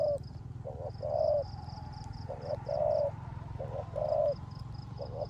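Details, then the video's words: Spotted dove decoy bird cooing in rain in the rước gù pattern, double short notes each followed by a smooth sustained coo, about four phrases, with a thin steady tone, high rhythmic chirring and low background hum. "Cu Gáy || sở hữu mồi RƯỚC GÙ trong mưa"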